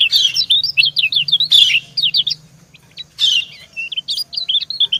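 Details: White-eye female calling to a male in a back-and-forth exchange: fast strings of high twittering notes broken by sharper downslurred chirps, with a low hum beneath.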